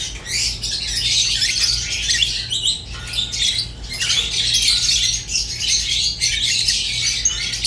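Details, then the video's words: Pet lovebirds, rosy-faced and Fischer's, keeping up a steady raspy warble of squawks and high chirps, with one short lull partway through. "تغريد ولا أروع | روز و فيشر غندور بصوت ساحر وممتع"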